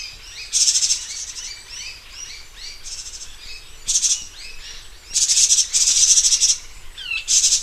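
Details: Taiwan barwings (Actinodura morrisoniana) in Taiwan, recorded 2012–2018, give harsh, high, rattling chatter in short bursts, with thin chirps from several birds overlapping between bursts.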